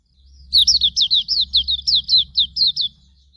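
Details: Hume's white-eye song, recorded as training material for other birds: a single quick phrase of about eleven high, thin notes, each sliding downward, delivered evenly over a soft low rumble.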